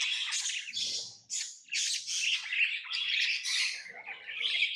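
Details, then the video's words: Tame pet lovebirds give a continuous stream of rasping, buzzy chirps, high and noisy, broken by one short pause, with faint low scratching beneath. "Love birds Sounds | lovebirds chirping sounds"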